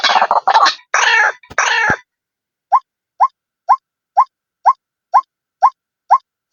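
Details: White-breasted waterhen call played as a lure to draw birds in: about two seconds of loud, harsh, grating croaks, then a steady series of short, hollow, upward-inflected notes repeated roughly every half second, nine in all, with silence between.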